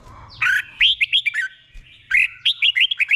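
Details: Doubled 'boen' song of a caged red-whiskered bulbul, sung slowly and clearly as a model for other birds: two phrases of rapid, evenly spaced whistled notes separated by a short break.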